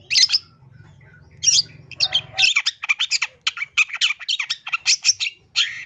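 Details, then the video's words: East Javan long-tailed shrike singing a varied song full of imitations, used to prompt other shrikes to sing: two harsh squawks, then a quick string of dry clicks and sharp chattering notes, a faint hum in the first half. "CENDET JATIM SUARA FULL ISIAN MEWAH SANGAT COCOK BUAT MASTERAN PANCINGAN CENDET JENIS APAPUN"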